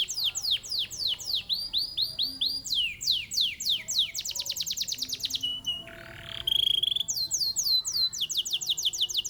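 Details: Competition canary in full song, shifting through fast downslurred note runs, a rapid even buzzy trill, a low steady tone, and renewed high sweeping phrases, all loud and continuous.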